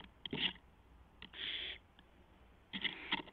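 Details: Barn owl owlet testing its wings on a live nest camera just after midnight, April 12, 2016; a short breathy hiss amid scuffing, clattering movement noises and scattered clicks.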